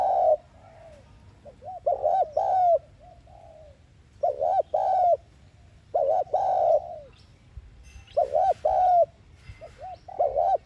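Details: Decoy cooing of a spotted dove in the 'thúc gù' style, used to spur captive birds to call. Regular throaty phrases of two or three low notes recur about every two seconds, some with soft trailing coos.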